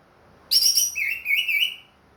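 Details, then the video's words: Orange-headed thrush in captivity, recovered from moulting and singing eagerly: a high, buzzy-edged opening note followed by a lower, wavering whistled phrase, the whole lasting about a second. "MERANGSANG ANIS MERAH BUNYI PLONG"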